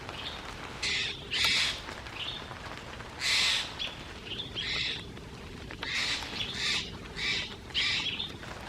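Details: In Langley, BC, on 1 June 2024, a Steller's jay threatens a Barred Owl perched in its territory. It gives harsh, raspy scolding calls in irregular bursts about every second, behaviour that continues until the owl leaves.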